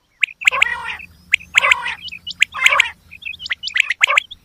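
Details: Quail females giving harsh, rattling gargles mixed with sharp hooked chirps, closely packed with a low steady hum underneath throughout.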